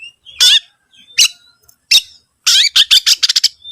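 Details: Oriental magpie-robin song used to lure other birds into singing: harsh, scratchy squawk-like notes spaced apart, then a fast stuttering series of short rasps, ending in a thin sustained whistle.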